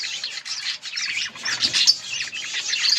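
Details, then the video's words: Short burst of yellow budgie chatter from August 18, 2024: thick overlapping warbling and high squeaky chirps without pause. "Beautiful yellow budgies chirping sounds"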